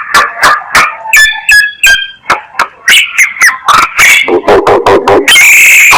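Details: Myna lure call: a rapid run of harsh, noisy chattering notes, roughly three a second, mixed with brief whistled tones and ending in a loud, buzzy burst.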